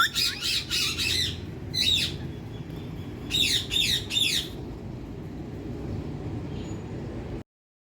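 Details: Indian parrot basking in sunlight, uttering harsh rasping screeches in short bursts. A cluster comes early, a pair follows, then a triple. A faint background rumble continues after the calls stop.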